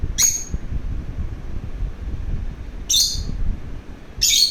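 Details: Pet lovebird that wants to play, giving three short, very high, harsh shrieking calls spaced a few seconds apart over low indoor rumble.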